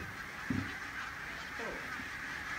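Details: Barnacle geese taking flight into a vicious headwind at Loch Gruinart, Islay: a short honking call near the start and a fainter one later, over steady roaring wind.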